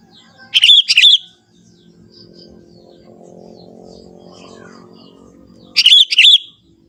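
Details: Lively song of a young forest Sooty-headed bulbul, natural with no mimicry: two brief chortling phrases of quick liquid notes, one at the start and one near the end, separated by several seconds of low droning background.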